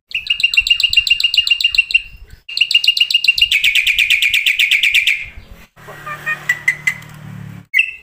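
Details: Black-winged starling training song meant to make starlings sing day and night. A long, fast series of metallic chattering notes quickens into an almost trilled rattle, then breaks off into faint scattered notes over a low hum.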